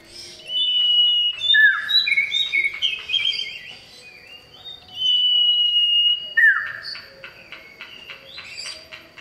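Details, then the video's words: Male common iora calling a female. It gives loud, varied whistled phrases of sliding and steady notes, separated by bursts of rapid, regular ticking clicks. "Cipoh Jantan Gacor Panggil Betina"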